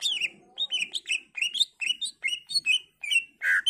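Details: Greater green leafbird in full, varied song, used to lure other leafbirds into replying: a rapid run of bright chirped and whistled notes around mid-high pitch, ending in a harsher burst, with a faint low background hum.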